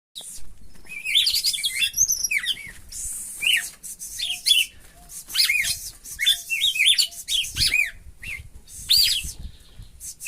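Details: Spirited red-cowled cardinal from Brazil's Northeast singing bright, high chirped and slurred whistled notes in quick, busy bursts, with brief lulls near four and eight seconds over a faint low hum.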